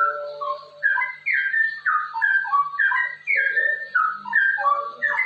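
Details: Straw-headed bulbul in ropel song, a recording for training other bulbuls to sing: dense sequences of clear, descending liquid notes, repeated phrase after phrase with a soft low hum behind.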